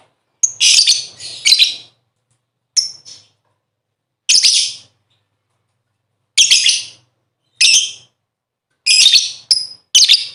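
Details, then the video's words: Lovebird sound used as a lure to get caged birds singing: about nine raspy, high chirping bursts at irregular intervals, some doubled or tripled in quick succession, with clean silence between them. "Burung Lovebird ll Pancingan Suara 5 detik Langsung Gacor"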